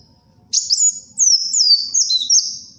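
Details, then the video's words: Energetic sunbird song for luring and tutoring birds: after a moment of quiet, a long, continuous string of thin, high whistles that twist and step downward in pitch. "SUARA BURUNG KOLIBRI WULUNG GACOR, UNTUK PIKAT & MASTERAN"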